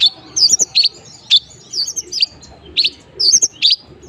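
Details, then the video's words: Long-tailed shrike singing a lively sequence of short, high, twisting chirps and squeaky notes in separate bursts of two or three, with brief pauses between phrases. "burung centet gacor full materi"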